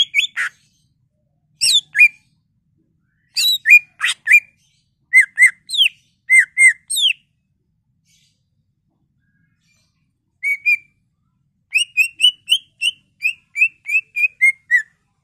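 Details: Greater green leafbird song meant to stimulate other leafbirds into singing: varied sharp whistled notes and chirps in clusters, a pause, then a run of evenly spaced slurred whistles, clean background.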